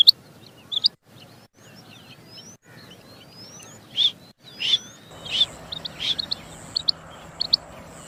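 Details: Rain quail calling clearly: scattered thin chirps at first, then louder high paired notes in quicker succession against a faint steady whine.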